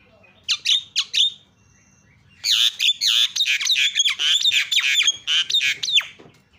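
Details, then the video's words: Starling (jalak) song used as a lure to set silent birds singing: a brief run of harsh squawky notes, a pause, then a long busy chattering stretch of buzzy, scratchy phrases with sharp downward slurs. "SEKALI PENCET JALAK LANGSUNG PADA CEREWET"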